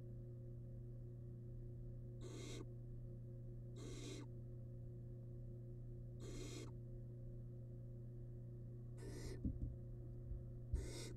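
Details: Nestling barn owl in a wild-monitored nest box, devouring rabbit remains, produces short rasping hisses spaced about two seconds apart; a steady hum runs underneath and soft scuffling taps appear near the end.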